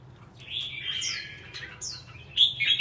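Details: Red-whiskered bulbul, a kept songbird, giving a short stretch of song: a soft wavering warble with two upslurred whistles, ending in a louder, sharper phrase.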